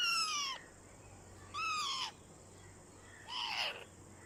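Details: Ringneck parakeet, described as a talking parrot, uttering three loud, harsh, downward-sliding calls with strong overtones, roughly one every one and a half seconds, against a low steady hum.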